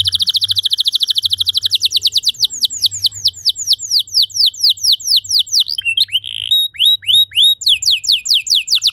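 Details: Canary song meant to get other canaries singing long phrases: a long fast trill of bright notes slowing into repeated downward-swept whistles, with brief chattering in between.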